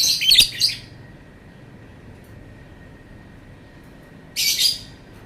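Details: Lovebird letting out two separate bursts of shrill, scratchy chatter, each under a second long, separated by several seconds of near silence.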